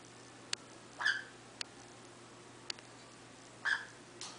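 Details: Indoor pet female cockatiel guarding her eggs gives two brief, harsh, rasping calls about two and a half seconds apart, between sharp clicking taps.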